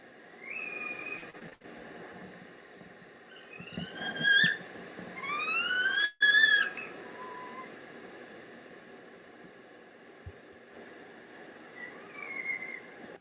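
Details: Two Western Screech-Owls in the San Gabriel Mountains, calling in response to playback: several drawn-out, rising-then-level wailing notes rich with overtones, spaced a few seconds apart against a steady background hiss.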